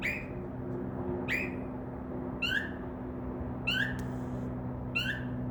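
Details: Northern mockingbird in a tree outside a window after midnight: five or so clear descending whistled notes, roughly one every 1.2 seconds, some slightly lower than others, with a steady indoor hum underneath.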